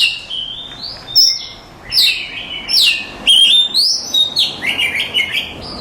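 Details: Oriental magpie-robin, a contest-winning bird, pours out a varied song of rising and falling whistled slurs, sharp high accents and quick chattering notes, phrases tumbling one after another.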